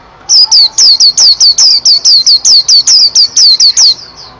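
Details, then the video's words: White-eye (pleci) singing a fast run of loud, high, downslurred whistled notes, about fourteen in three and a half seconds, each sliding down sharply, with a steady chirping rhythm and a quiet background. "BURUNG PLECI"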